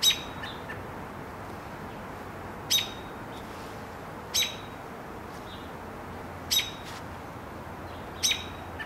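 An American robin gives sharp, clipped alarm notes, five in all, spaced roughly two seconds apart, over a faint steady hiss.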